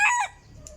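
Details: Decoy chicken, the tail of a crow: a short, harsh, loud note dropping in pitch and fading within a quarter second, leaving quiet background.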